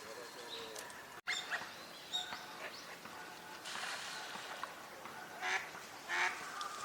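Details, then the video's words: Eurasian wigeon on a park pond in Chiba, Japan, in December 2025 give short, high whistled calls in scattered bursts, mixed with harsher quacking and chatter from other ducks including northern pintail. "ヒドリガモ鳴き声 (Mareca penelope) 他 - カモの鳴き声 / Eurasian wigeon sounds"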